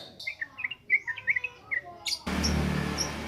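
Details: Yellow-vented bulbul, recorded as a training lure, gives a short run of rich, bubbly warbled notes for about two seconds before a sudden loud burst of broadband noise takes over.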